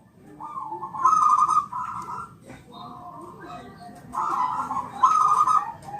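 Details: Zebra dove, Bangkok type, champion training song for prompting replies: buzzy trilled coo phrases repeated in loud and softer bursts over noticeable background noise.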